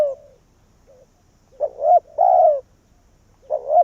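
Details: Vietnamese decoy spotted dove calling to draw wild doves into its tree: after a quiet start, a short humped coo, then a longer drawn-out coo, with another two-part coo at the end.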